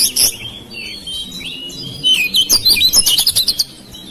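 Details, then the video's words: Oriental magpie-robin kept at home, singing to stimulate silent birds: varied warbling whistles rise into a quick run of rapid, high chirped notes, then stop. "KICAUAN KACER RUMAHAN MEMANCING SUARA KACER YANG BISU MACET"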